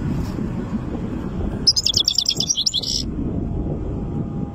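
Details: Strong song of a three-month-old goldfinch chick: one dense burst of fast, bright, tinkling twitters lasting over a second, set against continuous low-pitched background noise.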